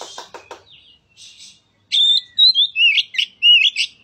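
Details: Oriental magpie-robin song played to stimulate a reluctant bird to sing. Harsh, raspy chattering notes come first, then a run of high, clear, rising and falling whistled phrases.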